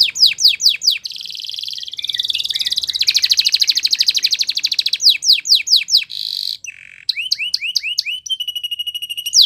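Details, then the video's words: Belgian canary alternating sharp descending whistles with a long fast buzzy trill, then hooked looping notes and a sustained tremulous tone. "Belgian Canary Song That Fascinates Everyone!!"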